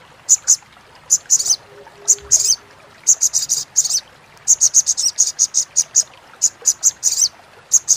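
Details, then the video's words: Sogon (Crimson sunbird) crecetan chatter, a master recording to add variety to competition birds' songs: irregular bursts of very high, scratchy ticking notes, some tightly grouped, over a quiet background with a faint low hum. "SUARA CRECETAN SOGON | PANCINGAN SOGON MACET BUNYI | MASTERAN CRECETAN SOGOK ONTONG SUARA JERNIH!!!"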